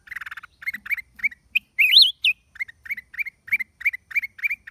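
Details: Black-crested bulbul recorded 29 December 2023, giving a buzzy chatter, then rapid short chirps, a loud looping whistled phrase mid-way, and again a regular run of brief upslurred notes.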